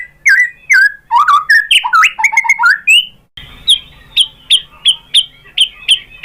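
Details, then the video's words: White-rumped shama song for provoking other birds to sing: tumbling whistled and chattering phrases, then a string of short sharp high notes repeated about twice a second over a slight hiss. "Bikin GACOR ‼️ MURAI BATU jadi EMOSI NYAUT BONGKAR ISIAN ¦ PANCINGAN MURAI ¦ SHAMA BIRD"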